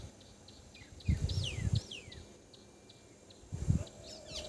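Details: Grey wagtail, a winter visitor to Assam that forages near water, recorded behind a house: thin, high, downslurred notes in quick little runs, faint against a quiet background, with a few low dull thumps.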